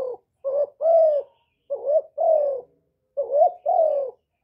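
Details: Spotted dove calling, played to lure birds, clean recording: three phrases of a short rising warble followed by a longer soft falling coo, separated by short silences.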